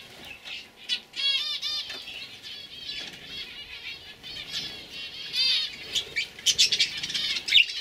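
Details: Young canaries from 2015 singing, rhythmic high rolling trills early on, then scattered chirps and sharp twittering notes building toward the end.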